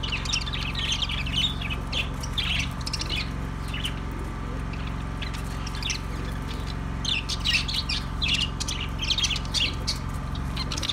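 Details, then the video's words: Lively budgie chatter: dense bursts of twittering and scratchy warbled phrases, fading briefly midway before resuming, over a steady low drone. "Ultra Budgies Bird Sounds Bea parrot relaxing Sounds"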